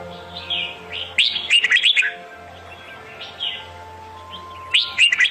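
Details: Red-whiskered bulbul song used to attract birds into a trap: a soft warble, then a burst of sharp chirps and slurred whistles, a pause, and another quick phrase, with a low hum underneath.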